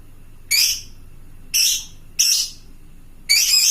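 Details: A few loud grating screeches from a fighter lovebird calling to other lovebirds, spaced about a second apart, the last one longer and buzzier.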